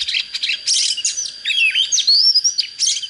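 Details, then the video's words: Oriental magpie-robin, a young trained bird in early peak form ('chớm lửa') with a standard-quality voice. It sings a rich, varied, high song: fast chattering bursts, sharp up-and-down whistled sweeps and a long thin rising whistle, with no other sounds. "Chích chòe than mộc CHỚM LỬA || có chất GIỌNG CHUẨN"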